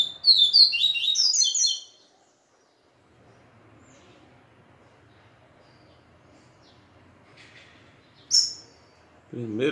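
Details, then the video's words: Seedeater (papa-capim) after a day with a female delivers a fast, jumbled high twittering phrase, then falls silent; a single sharp chip follows later, and a man's voice starts at the end. "Papa capim ISRAEL mexida de um dia de fêmea"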